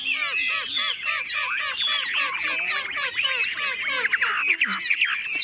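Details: Chinese hwamei in a cage carried and shaken by hand, fearless of people, pours out a dense fast chatter of repeated harsh notes and mixed whistles.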